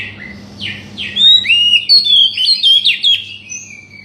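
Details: Oriental magpie-robin song for provoking a silent bird into song: a few sweeping notes leading into a rapid, varied chattering sequence of whistles and chirps, with a low steady hum beneath.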